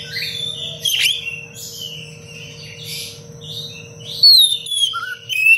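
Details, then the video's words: Oriental magpie-robin song recorded to teach other birds: varied warbled and whistled notes, a loud descending whistle near the end, then a short lower note; faint steady hum throughout. "Kacer gacor cengkok rapat pedas untuk masteran"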